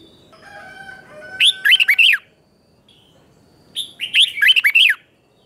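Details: A red-whiskered bulbul gives its morning training song of 2024, chè kích bổi style: soft thin whistles first, then two energetic phrases of quick slurred warbling notes rising and dropping, with a pause between them.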